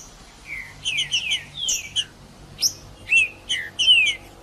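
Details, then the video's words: Green-winged saltator singing to stimulate other males: a string of clear whistled notes sliding downward, several short bright phrases repeated over about four seconds, with faint higher chips between them. "Trinca-ferro Macheando com Trinca ferro cantando Para Esquentar Trinca ferro"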